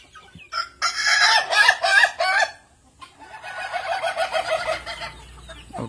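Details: An ayam ketawa rooster, an Indonesian laughing-chicken breed from Sidrap, South Sulawesi, whose crow resembles human laughter, crows with a loud opening burst and then a long run of rapid, cackling notes.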